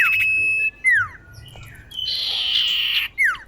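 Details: Female common iora calling a male for luring: a sustained flat whistle, then a clear downward-sweeping note, a second of harsh grating buzz, and another falling whistle at the end.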